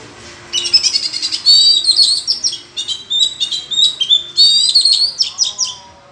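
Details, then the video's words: Forest Oriental magpie-robin in an intense singing duel with rivals, delivering a long loud stream of bright whistles, quick chirps and buzzy trilled phrases, varied and irregular, several bursts a second. "lần đầu thấy chòe than hót đấu giọng rừng hay và căng lủa đến vậy"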